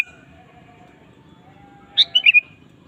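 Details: A sooty-headed bulbul sings lively for a lure track: after a quiet stretch with a faint steady tone, one quick phrase of four bright, bouncing chirps.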